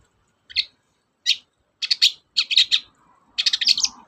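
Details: Long-tailed shrike singing vigorously, used as a lure to get reluctant shrikes to sing: scattered harsh, buzzy notes that build into rapid chattering bursts of rasping syllables, with quiet gaps between phrases.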